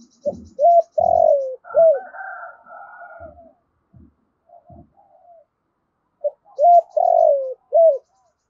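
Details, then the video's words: Decoy spotted dove recorded directly as it calls to lure wild doves: a clear short-long-short coo phrase opens and closes the clip, with quieter background cooing and low knocks in between. "Tiếng chim cu mồi gáy gọi bổi, tiếng cu gáy kích bổi"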